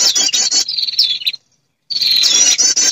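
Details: Lure recording of a female prinia calling males: a rapid shrill trill fading into a thin whistle, a brief silence, then the trill resumes strongly.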